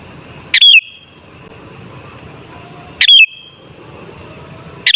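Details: Used to stir bulbuls into song, this sooty-headed bulbul gives short sweet whistled phrases every two and a half seconds, each a quick warble ending in a drawn-out thin tone, against a faint hiss.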